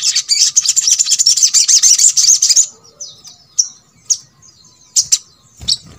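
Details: Crimson sunbird, known locally as sogok ontong, used as a master recording to coax others of its kind into singing. A dense, buzzy, high-pitched twittering runs for over two seconds, then sparse sharp high chips follow.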